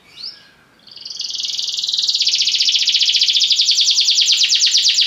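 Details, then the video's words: Belgian canary song with a brief high note, then a steadily building rapid trill that grows louder and sustains as a fast, even rattle. "Canários belgas atraem o som das canções preguiçosas dos canários"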